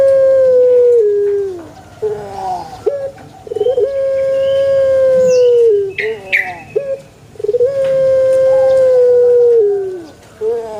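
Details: Puter pelung calling among banana plants, with long level drawn-out tones that each end in a downward slide, short broken notes between them, and small higher bird chirps.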